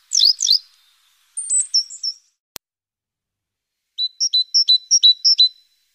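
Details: Great tit active around its nest box in the morning, webcam-recorded on 14 April: two sharp descending chirps, a pair of short high notes, then a quick run of bright two-note phrases repeated about six times.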